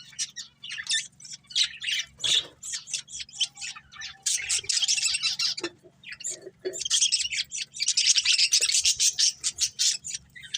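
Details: Busy chatter from a breeding pair of budgerigars: bursts of quick scratchy chirps and squawky notes, some softer warbles in between, with a constant low hum underneath.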